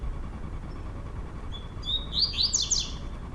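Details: Double-collared seedeater male indoors, singing in the trovoada style while two males dispute; silence with low hum, then from halfway a short whistled note followed by a quick burst of high, sharp chirping phrases.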